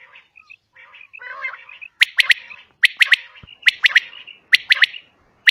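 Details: Female common quail calling: soft scattered notes and a brief rough burst open the recording, followed by four crisp triple-note groups spaced roughly a second apart.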